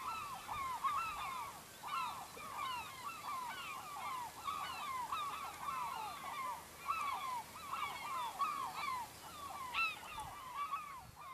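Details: In Norway's Lofoten islands, gulls near a fishing village keep up a steady chorus of harsh, bouncing kyow notes in rapid overlapping series, loud and unbroken for the whole stretch.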